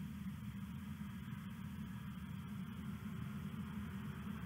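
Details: Low rumbling hum like an idling engine, with faint hiss above and no animal calls.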